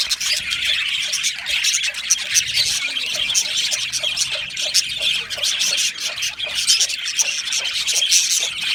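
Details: Budgie colony in an aviary, many birds singing and chirping at once, producing a steady high-pitched warbling chatter with scattered sharp chirps throughout.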